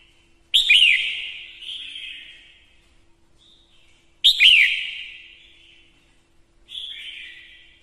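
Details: Caged female red-whiskered bulbul decoy singing to stimulate males. Two loud phrases, each a quick twisting whistle followed by a sustained falling whistle, plus a softer partial phrase near the end.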